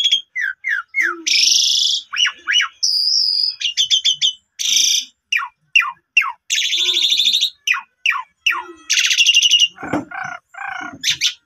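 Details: Lure song of an Asian pied starling, meant to set a quiet starling singing again. Quick descending whistles and clicks mix with loud buzzy rasps and dry rattles, ending in lower, rougher churring notes.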